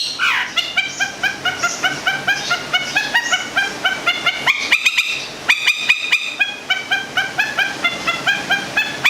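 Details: Local cendet, the long-tailed shrike, from Gedong Songo in Central Java, a kept songbird, giving a steady series of short harsh repeated notes about twice per second, then a louder rattling stretch midway.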